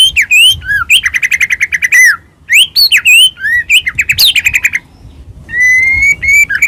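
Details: Medan-type white-rumped shama in full varied song, used as a lure to make other shamas sing and become worked up; fast buzzy trills, sharp rising whistles and slurred phrases, ending in a thin sustained whistled note.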